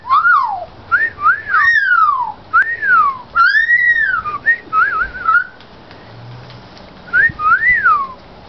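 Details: A baby Australian magpie, learning to copy sounds, gives clear wolf-whistle copies that rise then slide down, in bursts of about a dozen whistled notes with short pauses between.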